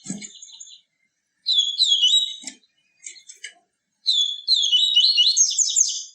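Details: Yellow-bellied seedeater delivering the tui tui viviti song, a pure song used to excite caged birds: a twittering phrase, brief scattered chips, then a longer rapid run of high, slurred whistles.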